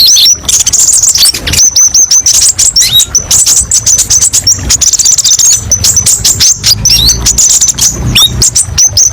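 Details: Konin, the kolibri ninja, in full song of varied sharp 'tembakan' phrases: needle-thin high twitters and quick slurred notes packed tightly together, pausing briefly now and then, over a soft low background hum.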